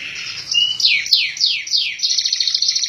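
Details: Kept canary, regularly sunned and given vitamins, singing in the clear, continuous 'master gecor' style: a short whistled note, then rapid repeated downslurred sweeps, ending in a fast buzzy trill of evenly repeated notes.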